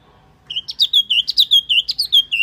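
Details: Wambi bird lure call: a run of about eleven clear, whistled notes, each sliding down and then flattening, repeated quickly at an even pace with no other sounds.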